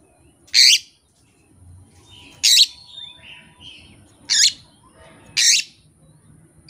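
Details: Kept Oriental magpie-robin singing without master recordings or a rival: four loud, harsh, buzzy bursts spaced about two seconds apart, with soft faint notes in between.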